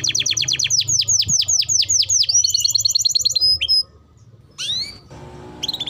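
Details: A canary, titled Timbrado but tagged Belgian canary (canario belga), sings a training song: a fast run of repeated downslurred notes, then a rapid trill and a few rising whistles, with a faint low hum underneath.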